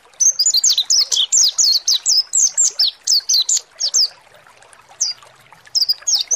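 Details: Lure song of the mountain white-eye, known as pleci monty, to get birds singing: a dense four-second run of high, quick downslurred chirps, followed by a few scattered single notes.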